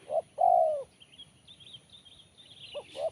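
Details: Part of a crisp, sharp 'kuk 1' spotted dove song: a short note and a long falling coo, then a pause with faint high chirping before two short notes begin again.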